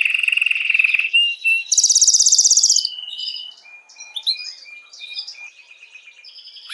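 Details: Canary song used to stimulate females for mating: fast trilled phrases, a steady mid-pitched rolling trill, then a higher rapid buzzy trill, followed by softer scattered chirps and short whistled notes.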